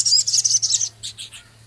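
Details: Male Javan cochoa in full song with minivet imitations, ticks and coarse chatter; a fast string of shrill, buzzy high notes breaks into three separated softer chirps, over a low steady hum.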